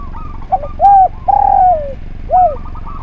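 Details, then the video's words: Spotted dove song meant for training other birds: a short low note, a clear hooting coo, a long coo that droops downward, then a final arched coo. Faint twittering phrases and low hum fill the background. "Derkuku Gacor Suara Nglaras, Masteran Derkuku Paling Top Cer"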